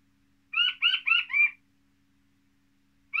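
A button quail gives four quick, high, slightly falling chirps in about a second, then begins another series; the background is otherwise quiet.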